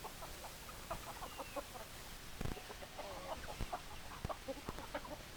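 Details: Flock of chickens producing quick repeated clucks, clipped notes in uneven runs, punctuated by several sharp knocks or taps throughout.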